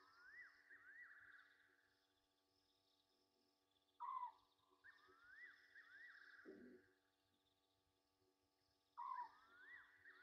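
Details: Night at a South African waterhole, Djuma Game Reserve, 27 August 2023, with Egyptian geese: hoarse falling honks repeat roughly every five seconds, with one low rough grunt, over a rising-and-falling background chorus and steady hum.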